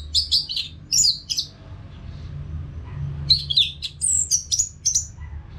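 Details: Anis Merah, the orange-headed thrush, singing in two bursts separated by a quiet gap; each burst strings together fast, high, slurred whistles and chirps, over a soft low rumble, as training sound for caged birds.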